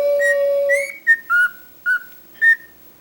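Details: Pet cockatiel that talks a lot, giving a long steady low whistle, then a string of short clear whistled notes that rise and fall, each about a quarter second long, with quiet gaps between them.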